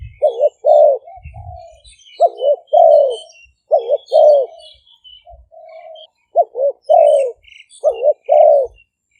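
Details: Lure cooing of two decoy spotted doves, Malay strain and 'phadphon' style, recorded in Roi Et province, Thailand, with background noise cut. Repeated phrases of two quick hoarse notes and a long falling coo, with softer held coos between.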